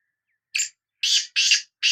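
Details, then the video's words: Kala teetar, the Sindhi black francolin, calling with a short scratchy note followed by three longer, loud, rasping notes in quick succession. "Kala Teetar Bulai | Bular | Kala Teetar Voice | Black Frankoline Voice کالا تیتر کی آواز"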